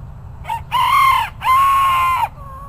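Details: Bantam chicken crowing: a short lead-in note, then two long sustained harmonic notes, the second level and drawn out, followed by a faint trailing tone; low background rumble.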